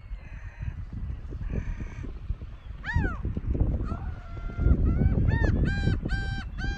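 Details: Gulls on a sandy beach at Masuhogaura coast near Togi fishing port, Noto Peninsula, Japan, March 2019: drawn-out mewing cries and a run of shorter yelping calls, over heavy wind and surf rumble.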